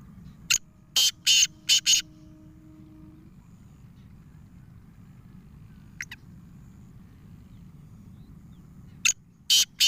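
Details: Black francolin (Sindhi black francolin) giving harsh, grating bursts of five rapid notes, then a lone note and another quick series, over a low steady hum.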